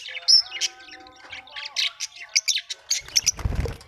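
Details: Colorful Australian budgies chirp and warble quickly in bright, clipped notes, with a brief low thump or rustle near the end.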